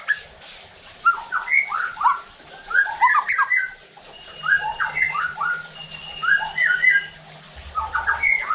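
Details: White-rumped shama song used as a lure to provoke rival shamas to sing: bursts of rich whistled and squawky phrases in clusters, a steady thin tone and low hum in the background.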